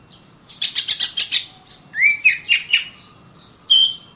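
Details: Caged Oriental magpie-robin giving continuous song, used to train other birds to sing and fight: a burst of harsh rapid chirps, then upward-slurred whistles, a pause, and one closing clear whistle.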